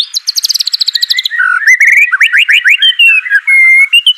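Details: White-rumped shama song to coax a hesitant bird into singing: a rapid high buzzy trill opening, followed by rising whistled slurs and a clear sustained whistle near the end.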